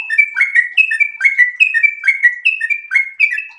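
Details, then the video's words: Sooty-headed bulbul in breeding condition singing a long ropel-style song: rapid chains of bubbly, slurred whistled notes, each stepping between lower and higher pitches, about seventy notes a minute with no other sounds. "trucukan gacor birahi ropel super panjang"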